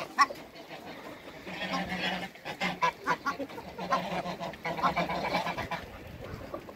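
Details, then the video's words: Two Toulouse geese in a backyard give a series of short, nasal honks in quick bursts, some calls overlapping, with quieter gaps between the bursts. "COUPLE TOULOUSE GEESE AFTER THE CREATE WATERBIRDS IN THE BACKYARD"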